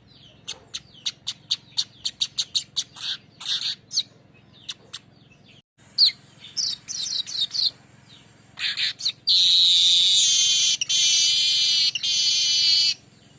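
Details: Streaked weaver (manyar kembang) lure song, 'ngerol' style: a quick series of sharp, evenly spaced chirps that builds into long, intense buzzy sizzling trills near the end.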